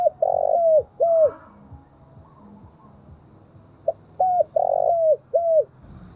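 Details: Spotted dove, a decoy bird with a 'thổ' voice, giving urging and calling coos used to lure wild doves; two phrases of low, mellow coos, each a short note, a long drawn coo, then a clipped note, separated by a quiet pause.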